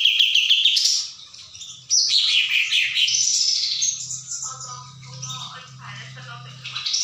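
A sooty-headed bulbul sings a rapid, high, twittering run of chirps and slurred notes with no pause, while a low hum joins in partway through.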